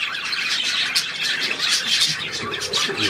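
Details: Budgerigar warbling: a dense, continuous stream of high, scratchy chirps and squeaky twitters with no pauses, possibly several birds chattering together.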